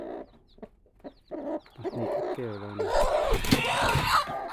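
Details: Newly hatched Mizo native chicken chicks give high, short peeps, and an adult chicken makes rapid low clucks. A loud, broad rustling or scraping noise covers the last part.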